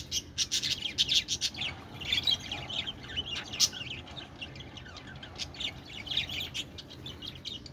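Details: Continuous budgie twittering, rapid high chirps and warbles overlapping densely, louder in the first half and easing off later, over a low background hum.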